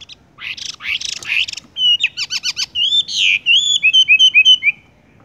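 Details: Rolling "tung roll gantung" song of a Horsfield's bush lark: harsh buzzy opening notes, then a quick rattle of clicks and a rapid series of bright whistled slurs, chirps repeated several times a second, ending abruptly.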